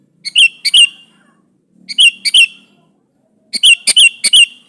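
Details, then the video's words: Sooty-headed bulbul in full song, calling a rival to provoke a lazy bird into answering: three bursts of two or three bubbly, slurred whistled notes, each phrase about half a second, separated by pauses, with a faint low hum between. "DI PANCING SUARA BURUNG KUTILANG GACOR MEMANGGIL LAWAN INI"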